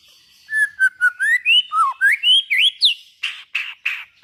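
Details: White-rumped shama (murai batu) singing to prompt other shamas to sing: a fast series of about four notes a second, with whistles climbing step by step in pitch, then several loud harsh rasping notes.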